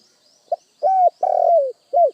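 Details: Single cooing phrase of a spotted dove: a brief soft pip, then a smooth level coo, a longer throbbing coo that drops in pitch, and a short arched final note. The background is quiet apart from a faint high tone.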